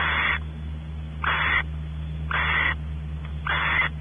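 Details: At a California ranch nest cavity, barn owls call while the male explores and the female awaits mating. Four rasping, noisy hisses come about a second apart over a constant low hum.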